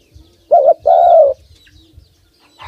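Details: Tame male dove, hand-fed and kept close by, giving a low cooing call: a short wavering coo, then a longer steady coo falling slightly at the end. Soft low tapping and thumps in the background.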